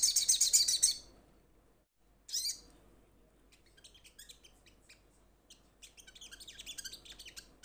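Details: A loud high rattle from a little spiderhunter calling companions, then one short burst after a pause, followed by a scattered stream of soft, high chips.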